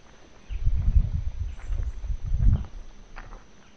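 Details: Red-ruffed Fruitcrows at a lek in Misiones forest, Yabotí Biosphere, where at least nine birds, males courting for females, call while inflating their throats. Two very deep, booming hoots about two seconds apart, low and resonant, over quiet forest background.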